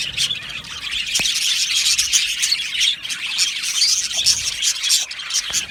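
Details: A colony of Australian budgies in an aviary, singing and chirping: dense, continuous high warbling chatter with overlapping twitters and short chirps throughout, and a few sharper clicks.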